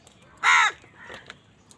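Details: Crow fighting for food gives one loud, hoarse caw lasting about a quarter second, followed by a softer, fainter call.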